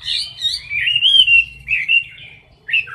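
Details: Chinese hwamei in a cage, singing in competition style: bursts of clear whistled and warbled notes, one sweeping phrase near the middle, then short separate whistles after a gap.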